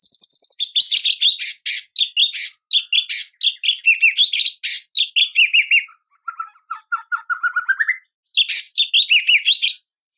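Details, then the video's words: White-rumped shama song meant to call out a rival: a dense, fast, varied stream of high chirps and slurred notes, then a lower rising trill, then the bright chirping resumes. "KICAUAN SUARA MURAI INI MEMANGGIL LAWAN"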